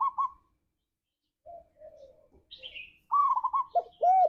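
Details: Spotted dove singing as a lure for pet doves: a short trill, soft murmurs, a higher slurred chirp, then a rolling trill ending in loud arched coos.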